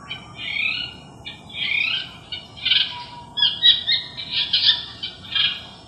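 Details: Long-tailed shrike mimicking other birds, recorded July 8, 2021: harsh squawky phrases and slurred chattering notes, irregular and rising in intensity toward the end, with steady background hiss.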